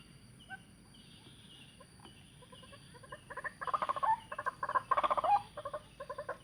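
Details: Young white-breasted waterhen calling: after about three seconds of near quiet, harsh croaking notes start in rapid pulsed bursts, growing louder and denser toward the end.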